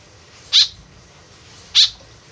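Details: Two loud, harsh, rasping notes about a second apart from a white-breasted woodswallow calling actively, a call used as a lure, with a low background hiss.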